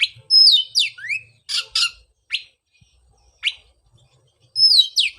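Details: Oriental magpie-robin song used as a lure to restart a bird that stopped singing after moulting: high whistled sweeps and slurred notes mixed with harsh, scratchy bursts, delivered in short separated phrases.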